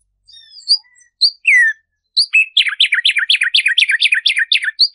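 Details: A tumba yegua, a mainly ground-dwelling bird, sings clear high whistles then a fast run of sweet, downward-slurred notes, played to stimulate and teach song.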